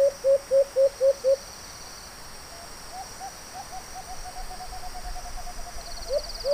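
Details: White-eared brown dove heard during a hunt: five short, clipped hooting notes in a quick regular series, then a pause before fainter similar notes return, over a steady hiss of background noise.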